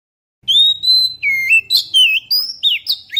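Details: Oriental magpie-robin lure song recorded on a GoPro Hero: a long clear whistle opens, followed by a lively series of varied slurred whistles and sharp chirps, repeated rapidly without pause.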